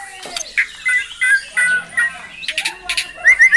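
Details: Caged white-rumped shama in Cilacap, Indonesia, delivering brantakan fill material: clear level whistles repeated several times, scattered high chirps, ending with a loud rising note.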